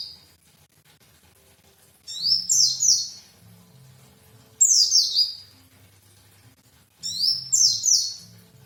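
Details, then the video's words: Pleci, the white-eye, repeating a high, rapid, descending twittered phrase three times, roughly every two and a half seconds, separated by near silence with a faint low hum. "indahya kicauan pleci"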